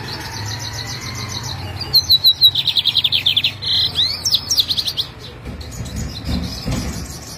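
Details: Caged lined seedeater in Jataúba, Pernambuco, Brazil, filmed at 3 pm on Friday, 11 November, while preparing for a morning contest. It delivers a long busy phrase, with whistled openers leading into rapid buzzy notes and a trailing series of chips.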